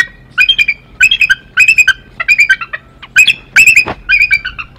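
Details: Wild bald eagles at the Decorah nest early in the morning, the mother confronting a male beak to beak in a dominance display. High, squeaky chittering calls come in rapid bursts of several notes, roughly every half second to second.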